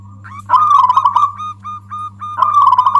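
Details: Local zebra dove giving the loud song used as a lure to provoke other doves: a bubbling trill, several separate short coos, then another rolling trill, all around the same mid pitch. Steady low hum underneath.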